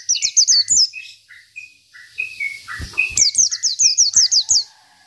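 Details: Local Oriental white-eye of the 'isian' style, singing energetically to provoke rivals: bursts of rapid, high, downslurred chips, about three per second, alternating with softer lower whistled notes.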